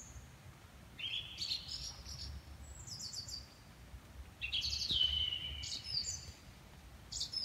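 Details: Birds singing at 4.30 am in a garden: high, thin whistled phrases with a sliding note, short bright trills and clusters of rapid chirps in irregular bursts, over a low steady background rumble.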